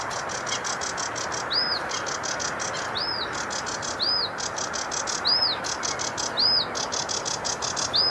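A sedge warbler sings a fast, scratchy chatter of high buzzy notes, with a clear arched whistle repeated about every second, over a steady rushing background hiss.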